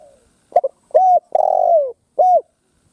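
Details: Spotted dove used as a lure against wild rivals: a stuttered opening, a short coo, a long hoarse descending coo and a clipped arched final note, repeated cleanly.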